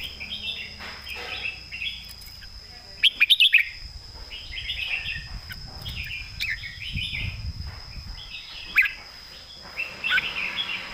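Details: Red-whiskered bulbul, southern master-song style: rolling, fluty warbled phrases repeat throughout, broken by a burst of sharp rapid notes, with low rumbling noise and a steady high hum behind.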